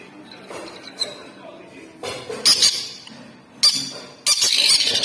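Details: Sun conure chicks being hand-fed in Rourkela, Odisha give harsh, raspy begging squawks in short noisy bursts that grow louder and longer toward the end, over faint clinks and indoor background noise.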